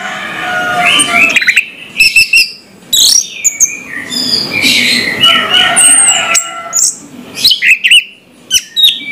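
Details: A captive orange-headed thrush in the morning sings a rich, fast medley of clear whistles, trills and sharp chirps, changing phrases every second or so with brief pauses between bursts.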